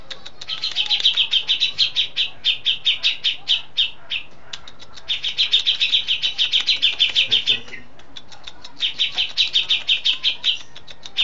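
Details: Grey-cheeked bulbul (cucak jenggot), settled and singing often, with fill-ins of besetan, lovebird, sparrow and cililin: three long bouts of rapid high chirping, each a dense run trailing into spaced notes, separated by brief pauses.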